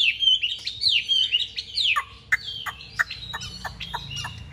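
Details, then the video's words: Chinese hwamei, caged and large-bodied, sings in a fighting display: quick tumbling whistled phrases, then a series of sharp spaced notes roughly every third of a second. "Bộ to đấu xòe hót rất tốt, giộng rất hay"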